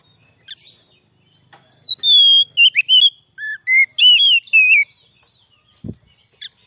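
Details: White-rumped shama song used to attract wild birds: clean, loud whistled notes sliding downward and upward in a quick varied phrase, with a few soft clicks and a brief thump near the end.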